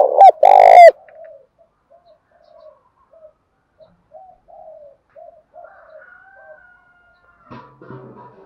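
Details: Spotted dove calling in a loud 'thổ' voice. A powerful rolling coo opens, followed by a long string of soft, low, murmured coos spaced about every half second. A faint thin whistle sounds near the end.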